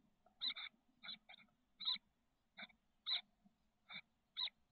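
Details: Chestnut-backed chickadee chicks, 13 days old, in a nest box on the SF Bay south peninsula, 30 May 2023. Separate short raspy notes, sometimes doubled, sound about every half to one second over faint low rustling.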